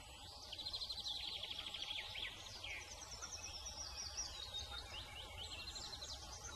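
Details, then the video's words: Song thrush in spring, at its nest while incubating eggs, singing a rapid, high, rattling trill, then varied bright whistled phrases, over a low steady background hum. "Springtime Serenade: Song Thrush Nesting Story"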